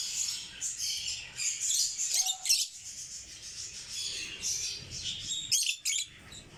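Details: Several African lovebirds chattering constantly in shrill, high-pitched squeaks and tweets, rapid and uneven, with short sharp squawks breaking through.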